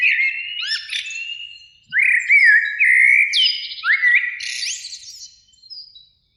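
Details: Springtime Eurasian blackbird, one of two singing in a beech tree by a lake in the evening sun: three separate rich, fluty phrases with rising slurs, each closing in thin, high twitters, with short pauses between.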